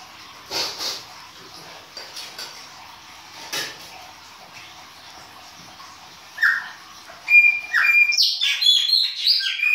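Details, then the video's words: Chopi blackbird singing in winter, baianinho style: several seconds of faint scattered notes, then a loud closing sequence of clear whistles and quick varied chirps. "PÁSSARO PRETO BAIANINHO E SUAS CANTORIA DE INVERNO !"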